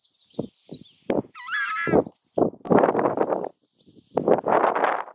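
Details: Southern screamer calling with loud, rough bursts that build into longer harsh screams, while a thin, wavering whistle briefly overlaps near the start.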